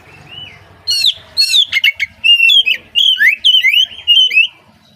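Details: Morning lure song of an Oriental magpie-robin, meant to get young speckled birds singing: a soft whistle, then a fast run of bright, rising and falling whistled notes and clicks lasting about three and a half seconds.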